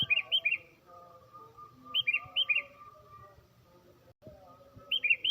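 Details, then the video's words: A tame sooty-headed bulbul singing in the morning gives bright, bubbly three-note phrases about every two seconds over a faint steady hum. The song is used as a lure for other birds. "Kicau Merdu Kutilang Jinak Gacor"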